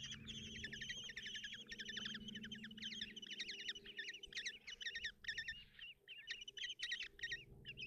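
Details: Common kestrel chicks in a nest box at Tiszalök, Hungary, on 30 June 2024, as the mother brings breakfast: dense, wavering, trilled squeals pour out almost nonstop, briefly pausing near the end, over a steady low hum.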